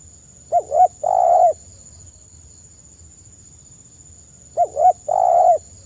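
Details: Gentle spotted dove phrase meant for use as a lure: two quick clipped notes followed by a long, even, slightly wavering coo, the same phrase repeated about four seconds later over a quiet steady hiss.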